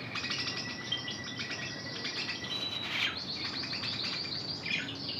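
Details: Intense red canary hen trained in Spanish Timbrado song: continuous rolling trills and pulsed metallic notes, a held steady tone early on, a sharp accented burst midway, then quick repeated rattles, over a constant low hum.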